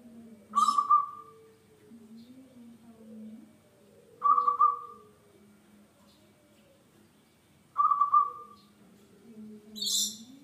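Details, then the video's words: Local zebra dove, recorded as a lure to make other birds sing: short, rolling, trilled notes recurring about every three and a half seconds, with soft, low, wavering cooing tones between them. "PERKUTUT LOKAL GACOR BUAT PANCINGAN"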